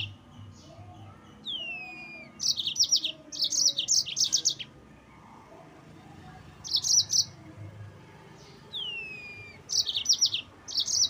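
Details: Yellow-fronted canary song used to provoke rival birds: bursts of high buzzy trilled notes, each introduced by a thin descending whistled slide, phrases repeated every few seconds over faint low background hum.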